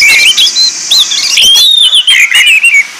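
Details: Orange-headed thrush singing in a training lure recording, a clear run of sweet whistled phrases, short slurred notes rising and falling, some brief rapid twitters, delivered almost continuously.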